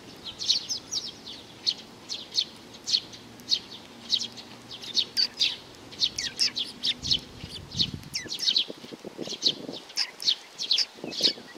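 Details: A young sparrow chirps quickly and continuously in dense runs of bright, high notes. A low rumble and brief rustling are heard near the middle.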